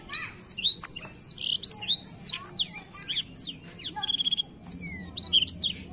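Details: Black-throated canary song used to stimulate young birds of its species: a fast, nearly unbroken run of high sweeping whistles, twitters and short rattling trills, with faint low background noise.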